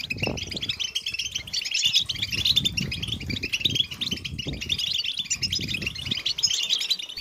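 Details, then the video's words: Several European goldfinches singing and chattering at once, said to be mating calls that motivate males to sing; a constant stream of bright, jangling twitters over a steady low rumble. "Beautiful Goldfinches Chattering & Singing Sound in Nature"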